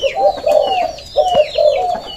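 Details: Caged breeding male Spotted Dove cooing, three low, mellow coo phrases in quick succession, while faint high chirps of other small birds sound above.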